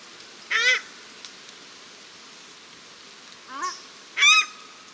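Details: Calling paradise shelducks, male and female, in Cornwall Park, Auckland, New Zealand: a loud buzzy honk, a softer rising call, then a loud harsh honk with a sustained tone, over steady hiss.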